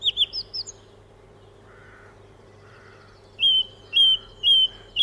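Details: Song thrush, in a dawn chorus, singing a varied song that keeps repeating the same kinds of phrases: sharp whistled notes, then a loud clear phrase repeated four times about every half second, over a steady low hum.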